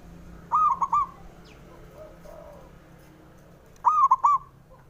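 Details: Male local zebra dove call used to stir birds that are slow to sing: two crisp three-note cooing phrases about three seconds apart, each a held note followed by two clipped notes, with softer distant coos between and a low background hum.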